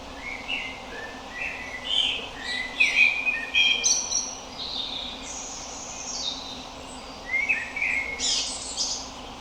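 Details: Common blackbird giving melodic calls outdoors: bright chirping phrases and short rising and falling notes in loose bursts, some high and thin, over a constant hiss of background noise.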